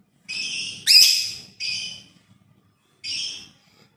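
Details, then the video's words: Lovebird giving harsh, shrill, buzzy screeches in four short bursts over about four seconds, the second loudest and most grating. "suara burung Love Bird"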